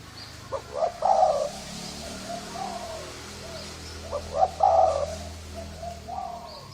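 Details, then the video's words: Thai-strain spotted dove with a hoarse voice cooing as a lure. Two short bursts of low rough coos are separated by a quiet stretch of soft murmuring notes, over a steady background hum. "Tiếng chim cu gáy thái giọng khàn gáy gù kích trống mái kích bổi nhanh nổi"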